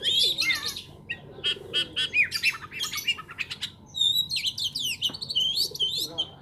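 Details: Lovebird uttering a varied run of sharp, squeaky chirps and short squawks in irregular bursts, some notes sweeping up or down, with brief pauses between the clusters.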